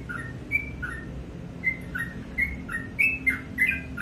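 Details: Softer morning song from a sooty-headed bulbul: a few sharp whistled notes alternating high and low, spaced unevenly over a few seconds above a noticeable hiss and low hum.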